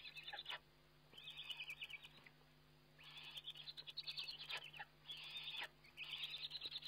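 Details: Eurasian eagle-owl feeding on a webcam on 29 May 2011: repeated bouts of high, buzzy, rasping chatter, each lasting one to two seconds with short gaps.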